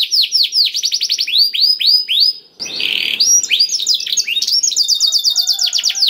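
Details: Song of a black-throated canary, played to spur other canaries to sing: a steady series of falling whistled notes, then a brief buzzy burst, followed by quicker, higher trilled strings of descending notes.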